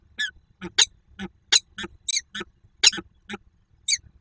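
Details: A female peregrine falcon at the ENGIE EC site in Słupsk, Poland, on 2 June 2022, during a nearly silent encounter, gives short, harsh, quacking notes in an uneven string, about a dozen in four seconds, with nothing else heard.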